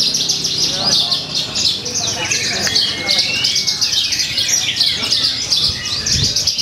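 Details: At a Purwakarta songbird contest, 2 February 2020, a Javan bush lark delivers a continuous high, buzzy twittering stream with one longer rising whistle midway, against crowd murmur and other birds.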